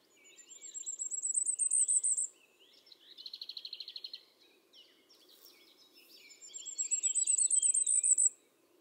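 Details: Singing common firecrest, Eifel near Dohr, Germany, captured on a Sony RX10 IV: two very high, accelerating strings of thin notes climbing in pitch and cutting off sharply, with a lower rattling trill from another bird between them.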